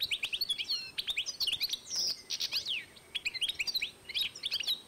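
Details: Twittering song of a European goldfinch crossed with a canary, 2012: fast high chirps and slurs run together, with a short gap before a fresh burst of notes.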